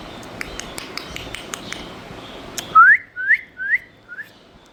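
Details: Pet parrot giving four short rising whistled notes, the first longest and loudest, fading over about two seconds, after a stretch of soft clicks and background hiss.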